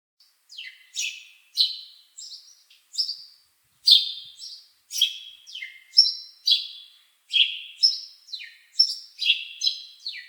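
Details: Bird chirping in a steady run of short, bright, high notes, many sliding sharply downward, delivered in quick bursts roughly every half second against a clean, quiet background.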